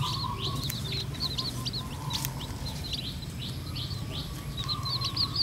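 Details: Red junglefowl hen guiding her mixed-blood chicks as they feed naturally. A continuous patter of high, quick, slurred peeps runs throughout, with an insect drone and occasional faint clicks in the background.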